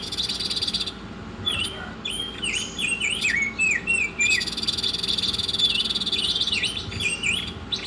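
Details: Lively Oriental magpie-robin song for songbird training: a run of bright, falling and rising whistled notes with quick buzzy flourishes, then a long hissy stretch, with a constant low hum underneath.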